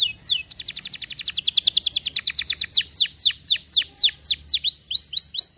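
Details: Canary singing a fast run of high, steeply falling whistled notes, about four per second, which slow into longer downward-sliding notes with brief pauses between them.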